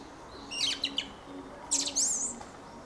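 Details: A brief Fieldfare song fragment: a cluster of harsh chattering squeaks, then a higher wavering whistle that rises and falls, heard against a faint background hum.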